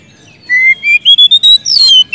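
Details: Oriental magpie-robin in full song, calling to a rival, used as a lure to get silent magpie-robins singing: a loud run of clear, slurred whistles climbing steadily in pitch, ending in a brief rich flourish.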